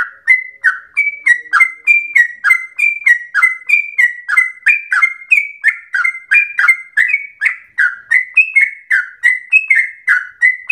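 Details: Extended 'ropel' singing by a yellow-vented bulbul, its song said to resemble a straw-headed bulbul's: an unbroken run of short bright whistles and down-slurred notes, about three per second, with each note slightly different.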